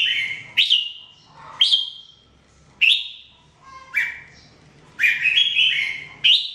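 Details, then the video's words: Red-whiskered bulbul singing during daily training: short bright whistled phrases around the upper-middle range, each opening with a sharp rising note, given in bursts roughly every second with brief pauses between. "Training Jambul bird singing everyday 2017"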